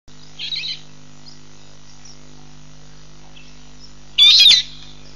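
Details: African green pigeons at Nkorho Pan on 15 June 2007 give two brief, high, squeaky whistled bursts about four seconds apart, over a faint steady hum.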